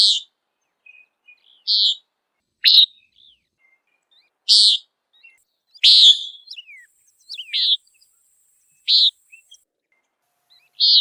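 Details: Common Nighthawk in flight hunting insects, calling a sharp nasal buzzy peent again and again at irregular gaps of one to two seconds, with a few soft chips and a faint high whine behind.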